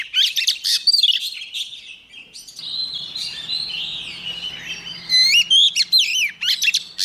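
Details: Caged female white-rumped shama singing to provoke the males to sing hard; dense, rapid bursts of high chirps give way to looping whistled slurs, over a faint low hum.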